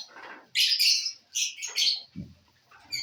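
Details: Lovebirds eating corn, giving a few loud, harsh, high squawks in two main bursts, with soft rustling and a low thud between them.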